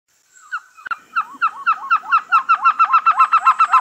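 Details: Trogon calling in a quickening series of short, hollow, clucking notes that start sparse and grow steadily faster and louder, about fifteen notes in under four seconds.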